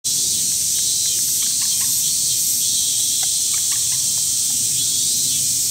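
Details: Common moorhen calling repeatedly while swimming in Tokyo, Japan, on 8 August 2020, apparently neither courtship nor threat; recorded on a CX430V camcorder. Short, sharp clucking notes come in irregular bursts, half-buried under a loud, steady insect drone.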